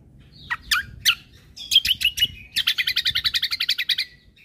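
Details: Actively singing cucak kombo, full of rapid bursts, late 2022 master recording for caged birds: a few scattered chirps, then a fast run of sharp notes, ending in a steady rattling series of about sixteen quick repeated notes.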